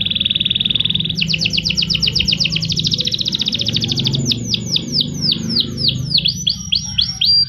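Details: Canary song used as tutor material: a steady pure whistled tone, then a long fast trill of evenly repeated notes, slowing into looping downswept whistles, with a low rumble beneath.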